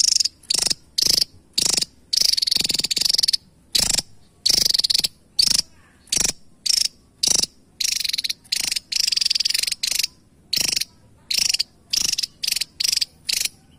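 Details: Javan tesia, a small bird, giving a rapid series of harsh, buzzy rattling bursts, each short and high-pitched, separated by brief pauses and sometimes running together into longer trills.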